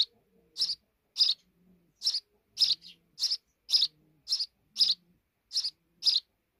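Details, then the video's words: Sparrows at their nest deep in a wall give a steady run of sharp, high chirps, roughly two per second, with faint soft lower peeps beneath. "Deep Nest Of Sparrow Birds in The Wall"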